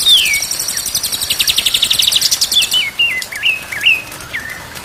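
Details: Tutoring recording of white-rumped shama song, played day and night so kept birds sing profusely: an opening downslurred whistle, a fast buzzy pulsed trill, then a series of wavering, stepped whistled phrases.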